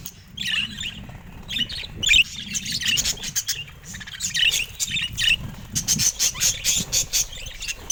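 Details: Budgerigars in a cage chattering with high chirps and scratchy warbles over a low rumbling background, with sharp clicking notes near the end.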